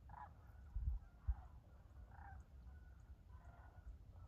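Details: Wintering sandhill cranes in flight, January, on the Tennessee River near Dayton, Tennessee: about four rolling, trumpeting rattles spaced roughly a second apart, over a background of low rumbling wind and a couple of thumps.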